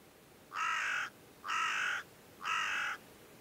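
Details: Carrion crow (Corvus corone corone) at Quiberon, France, in May 2013, gives three harsh, grating caws, each about half a second long and roughly one second apart, over faint background hiss.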